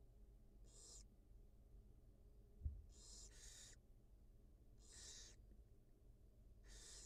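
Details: At a wild barn owl nest watched by live camera, the mother feeds two newly hatched young; rasping hiss-like screeches come in short bursts, one doubled, with a single soft knock between them and low background hum.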